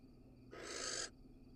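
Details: One long, rasping barn owl hiss that rises in loudness over about half a second, recorded in a nest box in Israel as a male casts a pellet; faint constant hum behind.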